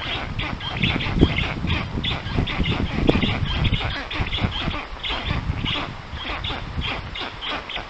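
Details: Black stork nest in Puszcza Notecka, Poland, on 13 June 2019 at 14:23, visited by a strange adult: short raspy calls repeat quickly, partly covered by heavy low-pitched rumble and a few clicks.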